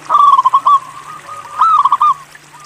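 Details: Zebra dove of a local strain, a keen singer. It gives two short cooing phrases, each a rippling series of soft rapid notes, with a gap between them. A low steady hum runs in the background.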